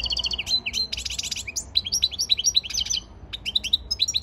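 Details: European goldfinch in training song, 15 February 2024: a rich, nonstop medley of high buzzy trills, tinkling slurred notes and quick chirps, varying in pattern, with a brief pause before the twittering resumes.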